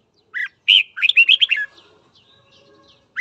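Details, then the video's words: Morning song of a red-whiskered bulbul, played to provoke fighting: a lone whistled note, then a rapid bubbling phrase of clear, rising and falling warbles, followed by faint softer chatter and a new note starting at the end. "Luyện giọng chào mào hót sáng kích bổi đấu"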